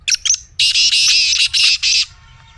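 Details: Pet black francolin's call, meant to set a silent pet francolin calling: two quick clipped chips, then four loud harsh grating notes in a steady run, with faint low background hum.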